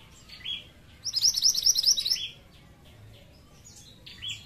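Pied Triller giving a fast, high chattering trill of about a dozen sharp notes lasting just over a second, with softer chirps before and after.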